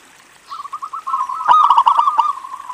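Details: Local zebra dove singing to lure other zebra doves. A brief run of soft, separate notes speeds into a loud, rapid, bubbling trill with crisp clicks.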